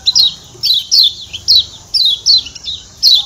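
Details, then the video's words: Lombok white-eye repeating clear, high downslurred ciak chirps, singly or paired, roughly seventy-seven per minute, with quiet background. "Ciak Ciak Kecial Kuning"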